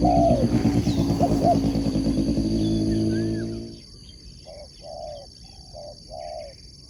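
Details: Spotted dove kept as a competition sport dove. A passing motorcycle roars over the early coos. Once the engine fades, a short series of soft, low coo notes is clear.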